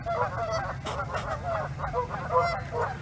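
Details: Canada geese at close range at Hawreluk Park Lake, giving repeated nasal honks in quick overlapping bursts, several birds calling together over a steady low background rumble.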